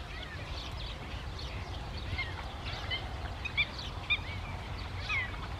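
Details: Wild greater flamingos in the Camargue in the evening: a busy flock chorus of nasal, goose-like honks and short rising and falling calls overlapping throughout, with a few louder notes near the end, over a steady low rumble of wind.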